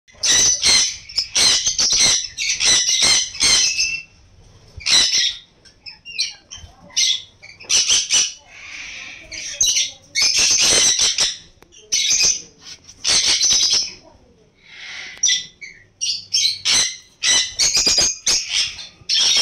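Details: Sun conures offered for sale give loud, harsh screeching squawks in rapid bursts, several birds calling over one another.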